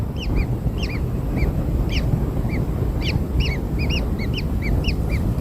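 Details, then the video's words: Freshly hatched kingfisher chicks, fed black insects, utter short curved high chirps in loose clusters roughly every half second, over a continuous low rumble. "Anak Burung Tengkek Baru Lahir Diberi Makan Serangga Hitam - Kingfisher Newborns Fed Black Insects"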